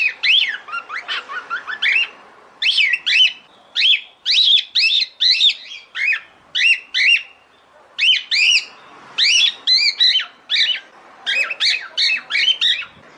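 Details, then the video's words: A female cockatiel calls to the male for mating with rapid, shrill, chattering notes in clusters of two to four, the clusters repeated steadily for over thirteen seconds, loud and clear. "CALOPSITA FÊMEA CHAMANDO O MACHO PARA NAMORAR."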